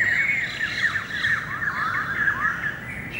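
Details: Greater racket-tailed drongo in song, 7 February 2018: a continuous tumbling stream of squeaky, jumbled chattering notes sliding up and down, almost without pause, over soft hiss.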